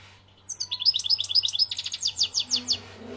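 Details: European goldfinch, Algeria, delivering a loud, fast twittering phrase of high chirps that slows toward the end into spaced, rolling notes; soft lower sounds and hum at the close.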